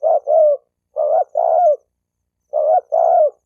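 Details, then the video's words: Spotted dove calling to provoke males and females into cooing and fighting: three low phrases, each a short note followed by a longer coo that drops at its end, spaced about one and a quarter seconds apart. "Tiếng chim cu gáy kích bổi kích trống mái gáy gù đánh nhau"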